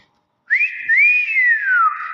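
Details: Common hill myna talking, mimicking speech: after half a second of silence, a loud whistled phrase rises sharply, dips, swells into a long arched glide and slowly descends, with the tone held steady to the end.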